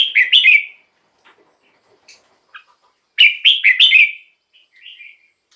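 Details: Red-whiskered bulbul song played to lure wild birds or to excite caged birds: two bursts of rich, warbling whistled notes with quieter single notes between them.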